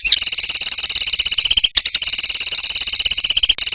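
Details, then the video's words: Master-recording songbird used to teach contest birds, in the 'tembakan rapat' style: a continuous, very fast high trill of sharp notes, briefly broken near the middle, then resuming at the same dense rate. "BURUNG MASTERAN FULL ISIAN UNTUK BURUNG LOMBA"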